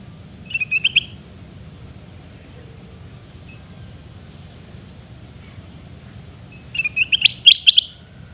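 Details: Sooty-headed bulbul, recorded in Pidie, Aceh, calling in two short bursts of quick rising chirps, one near the start and a louder run near the end, separated by quiet with a steady insect hum.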